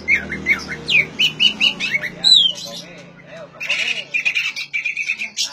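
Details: Song of an oriental magpie-robin, used to stir silent birds of its kind to sing. Rising whistles and clipped chirps lead into a downward slurred whistle. After a pause comes a fast, buzzy repeated trill with harsh squeaks. Low background hum.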